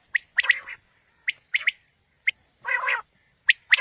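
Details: Quail calling for a morning hunt lure: quick clipped high notes in twos and threes, broken by one longer nasal, harmonic-rich note, over a clean, quiet background.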